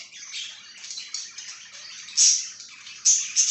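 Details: Budgerigar chattering in a soft, buzzy, high warble, then three loud, piercing chirps near 2.2, 3.1 and 3.4 seconds rising above the chatter.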